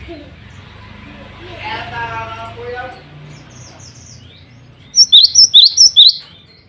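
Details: Male cinereous tit in full song, calling rivals and females, used as a lure bird; a low blurred murmur and rustle at first, then a loud burst of about six high, ringing, upslurred notes near the end.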